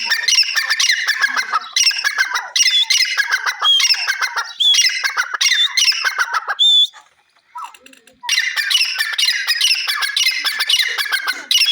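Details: Grey francolin giving loud, harsh, rhythmic squawking phrases repeated in bursts, with a short quiet gap partway through before the calling resumes.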